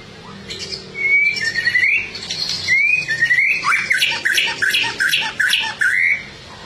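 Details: A white-rumped shama (murai batu) sings loudly and actively: clear rising whistles, then a fast run of sharp, scratchy notes interleaved with short upslurred whistles, in a quiet setting.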